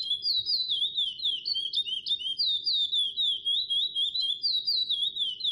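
Lesser seed finch singing a long, unbroken run of clear, fluty whistles that slide up and down, about four notes a second, over a faint low rumble.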